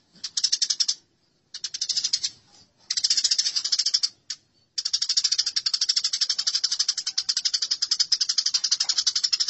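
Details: House sparrows fighting give harsh chattering bursts, then a long, unbroken rattle of very fast, high, buzzy chirps. The recording is used for training songbirds.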